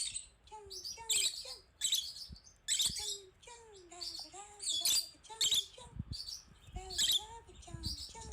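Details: Agitated female rosy-faced lovebird watching herself on screen gives a sustained series of shrill, grating chirps, broken by low, wavering whistles and a few soft thumps.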